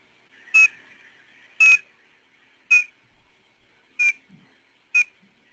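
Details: A Piping Plover gives five short, clear piping whistles, roughly one a second, soft and slightly down-slurred, over a faint indoor hum; the call is weak and quiet, and hard to hear in the field.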